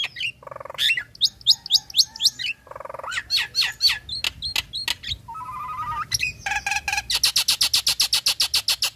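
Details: Nias hill myna female in breeding condition calls to the male with ngekek chatter: loud varied whistles, hooked upslurred notes, nasal buzzy squawks, then a long fast train of harsh repeated notes.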